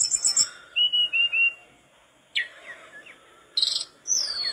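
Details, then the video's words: Persistent singing of a mangrove blue flycatcher, kept as tutor song: brief high chips, three clear level whistles, a pause, then a sharp downslurred note and high falling whistles. "tledekan bakau gacor teler"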